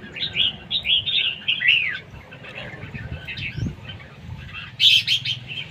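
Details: Red-whiskered bulbul in a singing competition: a series of rounded warbled phrases repeated roughly every half second, then softer notes and a loud bright flourish near the end.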